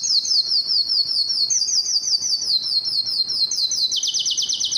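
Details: Yellow canary giving a high, fast, even trill of repeated sharp notes, shifting slightly in pitch and speeding up toward the end.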